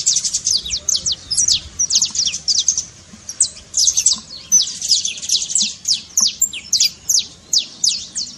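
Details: Trilled song of a saffron finch, meant to get a reluctant canary singing; steady runs of sharp, high, falling chirps in clustered phrases separated by short pauses, over a quiet background.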